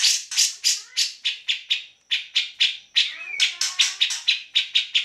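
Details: Grey-cheeked bulbul in full, lively song, recorded as a tutor track for magpie robins, green leafbirds and other songbirds: a run of harsh, buzzy chattering notes, roughly four or five per second, with a brief pause midway.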